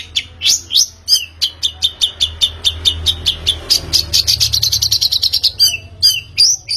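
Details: Long-tailed shrike audio used as a lure to make a bird sing: a steady stream of sharp chips that speeds into a rapid high trill, followed by a few rising whistled notes.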